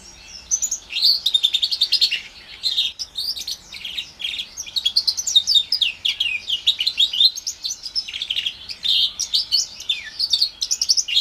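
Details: Orange/brown Timbrado canary and house finch mule, around four months old, 2021 bird, delivering a long continuous twittering song of rapid high chirps, buzzy trills and rising and falling whistles.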